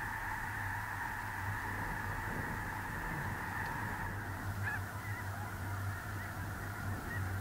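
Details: Snow geese massed on a small central North Dakota lake in early November 2021; a dense, continuous chorus of overlapping calls, with a few clearer honks near the middle, above constant low wind noise.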